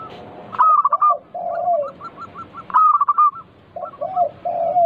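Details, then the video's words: Local zebra dove song meant to trigger other doves into singing: two bursts of sharp staccato notes, each followed by drawn-out low cooing phrases, with faint rapid repeated notes between them. "Pancingan burung perkutut lokal gacor - 100% bikin cepat bunyi langsung nyaut manggung"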